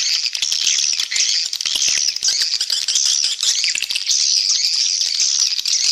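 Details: Swiftlet lure call played to attract the birds and boost the population. Thin, high twittering notes pour out in a dense flock chorus, with short gaps in the intensity.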